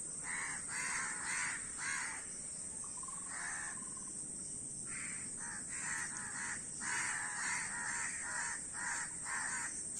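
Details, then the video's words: A crowd of crows gives loud, grating caws in runs, with a brief softer, lower call in between and a dense burst of overlapping caws toward the end. "কাকের ডাক"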